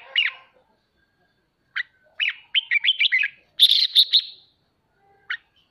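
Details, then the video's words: Red-whiskered bulbul's 'ché' song, played to stimulate caged birds to train their voices: a lively run of short slurred whistles building into a sharp, higher ringing burst, then a final lone note after a pause. "Chào mào khích ché cực hay /kích chim nhà tập ché /luyện giọng kích bổi cực hay"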